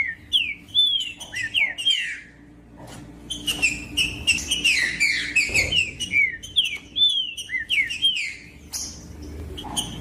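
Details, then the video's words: Green-winged saltator song meant to warm up and stimulate other birds to sing: rich whistled notes in rapid, tumbling phrases, rising then falling slurs, with a short pause before a continued loud burst. "MELHOR TRINCA FERRO PARA ESQUENTAR TRINCA FERRO COM TRINCA FERRO CANTANDO"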